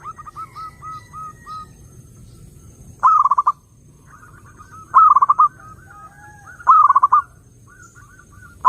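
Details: Zebra dove song played to lure other doves: rows of soft, short whistled notes, then three loud stuttering trilled bursts roughly two seconds apart, each followed by softer fading notes.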